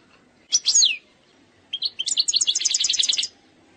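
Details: Error-free eastern 'sector sharqi' song from an Algerian goldfinch: a short cluster of slurred, falling twitter notes, a pause, then a fast, even, high-pitched trill lasting over a second.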